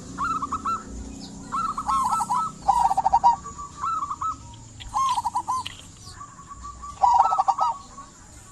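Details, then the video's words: Local zebra dove song used to prompt silent doves into singing: rapid rolling trilled coos around the same pitch, several phrases with short pauses, some overlapping callers, faint steady background hiss. "Perkutut lokal gacor buat pancingan perkutut pendiam agar bunyi"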